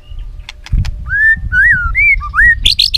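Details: White-rumped shama song meant to train other shamas. A few sharp ticks, then four clear slurred whistles rising and falling, closing with a high buzzy burst; faint low rumble beneath.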